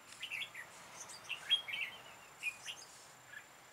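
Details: Red-whiskered bulbul recorded on 13 October 2018 during trapping with a decoy bird, in a full-ending song style. It gives short, fairly faint whistled and warbled notes scattered across a few seconds, with a thin steady high tone behind.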